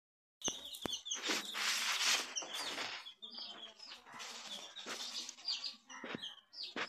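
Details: Coloured baby chicks peeping: high, thin peeps repeated rapidly, roughly two each second, over bursts of rustling and scratching noise.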